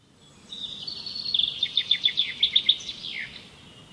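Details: Single bird pouring out a loud, fast trill of around a dozen sharp high notes, rising in volume and finishing with a falling slur, against faint hiss.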